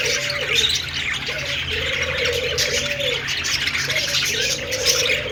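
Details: Shrill, lively chirping from a flock of budgerigars fills the air, overlaid by a low, droning coo repeated roughly every two seconds.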